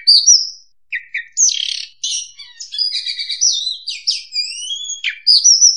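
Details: Oriental magpie-robin song played to lure birds for trapping: rich high whistles, harsh buzzy bursts and gliding upward slurs in a rapid, ever-changing sequence, ending on a sharp whistled note.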